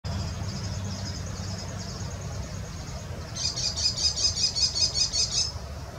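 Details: An American kestrel in rural farmland, startled into alarm by its usual prey, gives a shrill, rapid killy-killy series of about ten high notes in two seconds after a fainter run of calls, over a low rumble.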